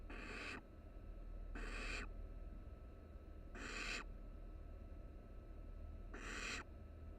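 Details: Three barn owl nestlings resting close together in a nest box on a live camera at the University of Florida; four loud, broad, raspy hisses, each about half a second, repeated roughly every two seconds over a steady low hum.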